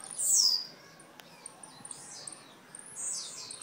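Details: Blue-black grassquit from Jacarepaguá, Rio de Janeiro, Brazil, giving two high, sharp, buzzy downslurred notes about three seconds apart, with soft ticking in between and quiet background.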